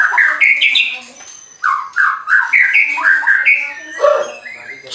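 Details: Singing white-rumped shama from a bird farm in Banten, Indonesia, used to provoke rival birds: bold whistled and warbled phrases in quick bursts, pausing briefly midway before resuming, with a low voice under the song.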